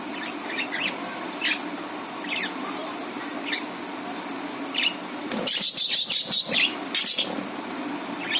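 Budgerigars giving short, bright chirps, then a quick burst of scratchy, excited chatter.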